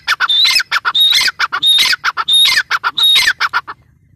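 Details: Grey francolin in a loud bout of harsh, ringing squawks with whistled overtones, repeated in quick rhythmic phrases that stop abruptly near the end, leaving quiet.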